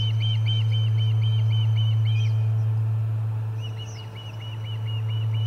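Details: Charlo nest Osprey, 30 July 2020, in a commotion as a fish is delivered: quick, ringing, down-arched chirps in a rapid series that breaks off and resumes, with higher faint notes and a deep hum beneath.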